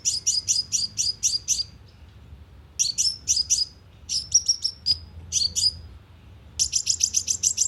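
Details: Lively sunbird calling used as a speaker lure for trapping birds: quick runs of piercing, high chip notes in several bursts with brief silent gaps between them.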